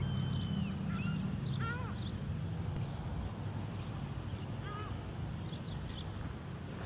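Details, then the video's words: At a supercharger in Hines, Oregon, gulls utter a quick run of yelping, downward-bending calls early on, then another short burst later, against constant low traffic rumble. "Seagulls at the supercharger"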